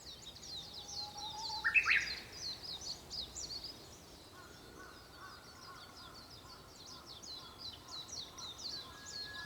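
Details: Japanese bush warbler singing at sunrise on 4 May 2021, shortly before 5 a.m.: a low, drawn-out whistle that breaks into a quick rising flourish, followed by a faint level note, under a steady chorus of high, twittering chirps from other birds.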